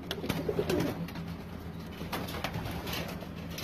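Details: Pigeon cooing indoors: a short, low, wavering coo early on, then steady low hum and scattered clicks and knocks in the background.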